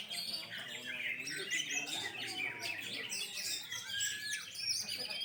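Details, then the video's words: Competition-kept Oriental magpie-robins singing at a 2020 bird contest held amid the pandemic; a busy, unbroken mesh of shrill whistles, rising and falling sweeps and scratchy notes from several birds, with soft background chatter of the audience. "Lomba burung Kacer 2020 | Kacer gacor"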